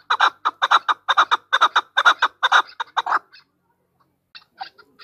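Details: Female chukar gives a fast volley of loud, grating chuck notes for about three seconds, then falls silent before a few faint scattered clucks.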